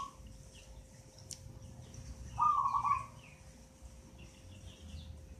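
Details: Local zebra dove, eight months old and already singing often, taken from a nest in a mango tree; one short, rippling trilled coo in a mid-low pitch with faint chirps of other birds behind.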